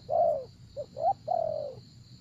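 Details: Spotted dove used to lure wild doves gives a long falling coo, a tiny note, a rising coo and another drawn-out descending coo, with a faint high hum behind.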